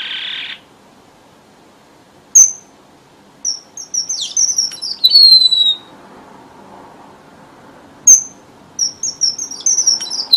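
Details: Red avadavat lure song used by bird keepers in southern Vietnam for trapping: a brief buzzy burst, then high thin whistles and sliding notes in two phrases, each opening with a sharp click.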